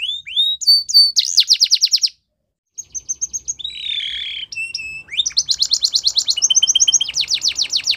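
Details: Belgian canary singing a training song: rising whistles, then a fast rattling trill, a brief pause, scattered chirps and a wavering whistle, then long rapid rolling trills switching between pitches.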